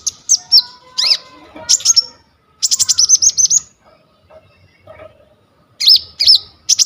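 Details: Brown-throated sunbird in vigorous full song, recorded on a phone as a model for training other sunbirds: high looping whistles, a rapid train of evenly spaced chips, a quiet gap, then more slurred whistles.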